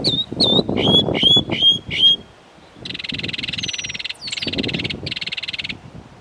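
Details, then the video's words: Northern mockingbird singing its run of other birds' songs at Belle Isle Marsh Reservation, East Boston, Massachusetts. A quick series of sharp high whistled notes gives way to long dry buzzy rattles broken by short pauses, with faint low noise behind. "Northern Mockingbird bird songs"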